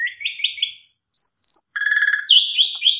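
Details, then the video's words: Asian pied starling in active song intended to coax other starlings into singing, including canary-type phrases: a short stuttering trill, a pause, then sustained high whistles and a lower harmonic buzz with wavering notes. "Pancingan Jalak Suren Gacor"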